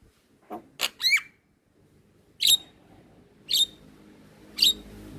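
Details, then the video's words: Black-winged myna, white-eyed type, in a cage-bird training recording: a few scratchy notes and a downslurred whistle, then three loud sharp notes about one second apart. "Jalak Kebo gacor Suara Asli / Masteran Jalak Kebo Mata Putih / Masteran Jalak Kebo Manggut2"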